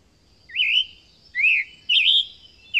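A Scarlet Tanager sings four short, hoarse, slurred phrases, rising and falling like a burry robin, about two per second. A faint steady high hiss sits underneath.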